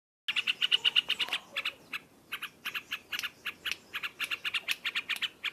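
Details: Yellow-vented bulbul singing loudly in the rapid ngropel style: a fast, chattering run of short bright notes, about three per second, with a brief pause near the middle before the string resumes.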